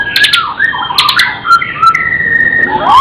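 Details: Murai, a caged songbird from Indonesia, singing energetically with mimicry. Varied whistled notes, some rising and some falling, are mixed with short high ticks, and a long level whistle comes near the end.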